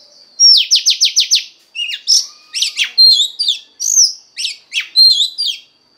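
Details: Female Oriental magpie-robin singing to stir a male: a rapid run of six sharp descending notes, then a varied jumble of short chirps, slurs and whistled notes.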